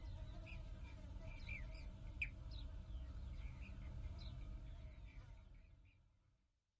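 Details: Breeding colony of European bee-eaters nesting in old vineyard loess banks at Kahlenberg by Herbolzheim, Germany: a busy chorus of brief trilled, purring calls from several birds, fading toward the end, with constant low background rumble.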